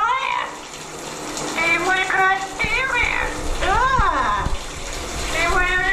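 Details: A pet male yellow-naped amazon in New Jersey sings opera-like in the shower in a rich, human-like voice: wavering, rising and falling phrases in short bursts, over the steady hiss of running shower water.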